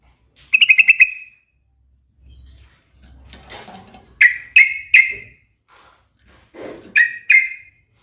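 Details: Yellow-vented bulbul with a fast chattering phrase, then soft background noise and a series of sharp, clear notes in pairs and threes.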